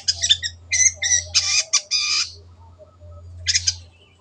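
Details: Long-tailed shrike giving short, harsh, chattering bursts in a quick cluster, a pause, then one more brief rasping burst, loud against a quiet background.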